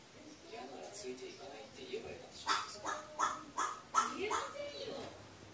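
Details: Crow vocalizing to itself, filmed in Japan on 24 October 2018. A quiet series of rough, hoarse caws comes in quick succession mid-recording, with soft murmuring voices and background hiss around them.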